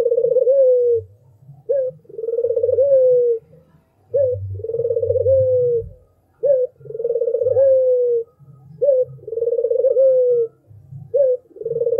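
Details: Albino spotted dove singing: a short clipped note, then a long pulsed coo that slides gently downward, the phrase repeated roughly every two to two and a half seconds against a faint low rumble.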